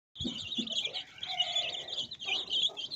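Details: Chicks of domestic chicken, colored chicks, chirping: a dense stream of high, rapid peeps overlapping one another without pause, with a few faint lower clucks near the start.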